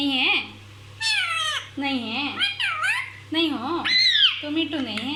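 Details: Pet parrot talking nonstop, said to say everything: a string of high, wavering speech-like phrases with bending, voice-like tones, separated by short pauses, over a steady low hum.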